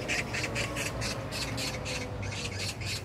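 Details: A magpie chatters in Jangdumot park, Incheon, Korea, June 19, 2022: a steady rattle of coarse, noisy chak notes, about four per second, clear above a low ambient hum.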